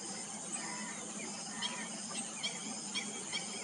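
Black-breasted weaver giving five short, sharp chirps at irregular intervals over a steady high hiss of background noise, possibly insects.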